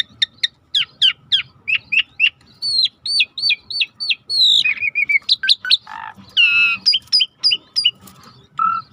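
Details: Rare starling in a river-sound training mix: rapid, repeated high whistled notes in bursts, downslurred phrases, a few harsh buzzy notes and a rich sliding whistle, over a low continuous murmur.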